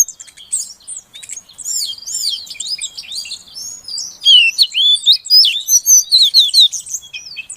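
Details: Calls of a female Oriental magpie-robin meant to spur a quiet male to sing: busy high twittering that builds into loud, rhythmic, down-slurred whistled notes repeated roughly twice a second.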